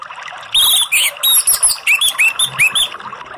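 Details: Orange-headed thrush, used as a lure to prompt other birds to sing, giving a quick varied phrase of clear whistled slurred notes, rising and falling, over steady background hiss.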